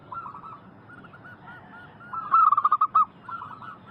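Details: Local zebra dove lure recording for calling in wild doves: faint cooing at first, then one loud, rapid run of about six rhythmic coos lasting under a second, followed by softer notes.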